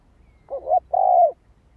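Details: Spotted dove cooing, used to rouse decoy birds: a short two-part phrase, a brief low coo followed by a longer, steady, resonant hooted note, over quiet background.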